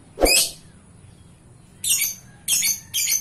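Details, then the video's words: Chattering lovebird in gacor form: a sharp squeaky note, then after a pause a run of three rapid, harsh, high-pitched chirps. "Suara love bird gacor"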